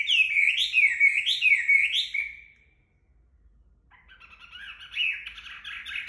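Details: Chinese hwamei sings after bathing while drying in the sun: three loud rising-and-falling whistled phrases, a pause of about a second and a half, then softer, quicker warbled notes.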